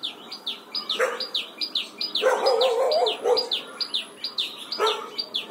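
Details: Morning song of a red-whiskered bulbul in training for double-note wild-style singing: steady run of quick, sharp chirps, interrupted by brief broadband bursts of other noise.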